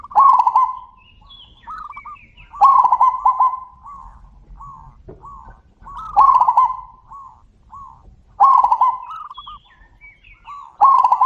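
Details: Zebra doves calling back and forth: loud bursts of mellow, rolling cooing phrases, each starting with a strong trill then trailing off in softer spaced coos, answering one another every few seconds.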